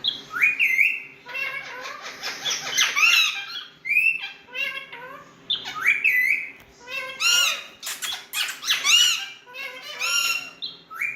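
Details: Home-kept Indian parrots in full talking mood give a long run of chatter: grating buzzy stretches, clipped squeaky notes and rising-then-falling squawks, repeated in bursts throughout, indoors with little background noise.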